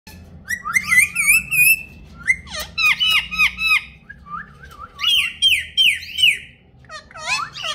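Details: A pet rose-ringed (ringneck) parakeet talks in Urdu/Hindi, chattering high, nasal, speech-like phrases in quick bursts of repeated syllables, with short pauses and a faint hum behind.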